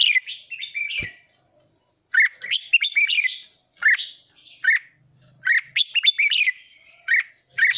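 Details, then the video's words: Red-whiskered bulbul, a pet cage bird in fighting form, singing a stimulating song: clusters of rich rolling whistles, a dry tap, then several bouncy phrases with short gaps and a faint hum. "Chào mào hót kích bổi ức chế căng lửa hót ché"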